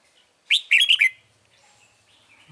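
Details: Red-whiskered bulbul singing at a bird trap on 9 March 2020: a single loud, rapid phrase of four or five bright, warbled whistled notes, followed by faint softer twittering and near silence.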